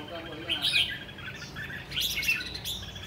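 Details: Caged red-whiskered bulbul in a tall square cage with four corner perches, singing in the rồ ché style: short bright whistled and warbled phrases in two bursts, with faint talking underneath.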